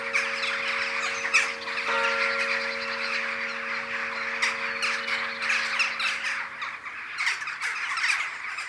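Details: Jackdaws gathering in their daily evening ritual over Ringenberg, accompanied by the 19:00 bells of the Protestant church; dense overlapping harsh chattering calls from a flock, with steady ringing bell tones beneath that fade partway through.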